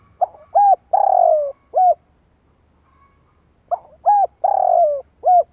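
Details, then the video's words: Decoy spotted dove cooing to provoke wild doves: two complete phrases of mellow low coos, short notes framing a long, slowly falling middle coo, with a brief silence between. "Tiếng chim cu gáy kích bổi nhanh nổi"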